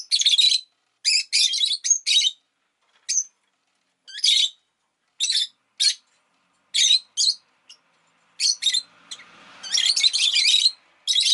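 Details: Pet rosy-faced lovebird, kept indoors around the time an egg was laid, giving harsh high chirps in short bursts, some doubled or tripled, with a denser chattering run near the end and faint town noise beneath.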